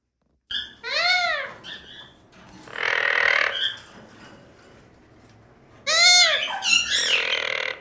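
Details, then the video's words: Pet Indian ringneck parakeet singing and making funny sounds: series of arched, rising-then-falling squeaky notes, a burst of harsh noisy chatter in the middle, then more looping whistles and squeaks. "Cute Indian Ringneck Parrot Making Funny Sounds Singing"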